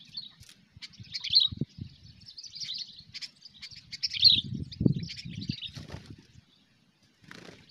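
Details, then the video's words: Sooty-headed bulbul, cengkram style, used for bird luring: short high chattering phrases, two of them loudest with sharp peaks, alternating with low rustling and knocking noises, then a brief quiet spell. "Burung Kutilang Cengkram over fighter"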